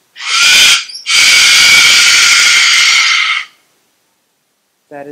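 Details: A cockatoo at an exotic bird store in New Jersey gives two harsh, raspy screeches, a short one and then a long drawn-out one of about two and a half seconds, followed by a brief human voice.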